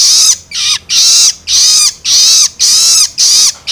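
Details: Begging calls of a juvenile long-tailed shrike, used to stimulate adult birds: grating, noisy screeches repeated almost twice a second, each with a falling tail.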